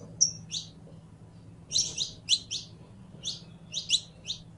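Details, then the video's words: A Saffron finch, called canario criollo, delivers a whistled note followed by rapid runs of sharp high chirps in groups of three or four, low background hum. "CANTO DE CANARIO CRIOLLO CANTANDO"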